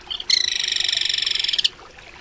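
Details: Crested Kingfisher call: a single harsh, rapid rattle lasting about one and a half seconds, steady and grating, over a soft background hiss.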